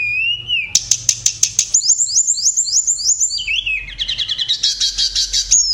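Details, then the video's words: Tledekan singing as a tutor bird for songbirds: a steady high whistle, then a run of sharp clicking notes, fast slurred trilled phrases and a bright rapid warble near the end. "tledekan sang guru vokal"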